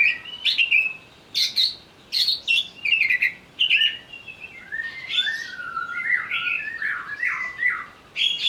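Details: Greater green leafbird, provoked to sing while agitated: loud, varied run of sharp chirps and whistled notes, then a longer stretch of slurred, rising and falling warbles around mid pitch.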